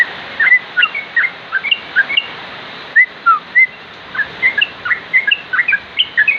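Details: Yellow-vented bulbul giving short, liquid chirping notes in quick bubbly clusters, with brief pauses between groups and a steady faint background hiss.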